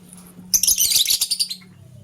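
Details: Green lovebird chirping in the morning as a blue lovebird scrambles for vegetables; one continuous second-long run of very high, harsh, rapidly repeated chirps, then quiet with a faint low hum.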